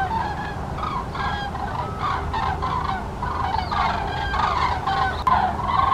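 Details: Common cranes (Grus grus) give loud, rolling trumpeting calls, several birds overlapping in a steady chorus, over a low background rumble.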